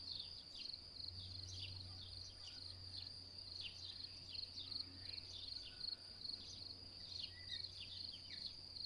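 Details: House martins on 16 May 2022 give short, dry chirps and twitters scattered every fraction of a second, over a steady high insect trill and faint background rumble.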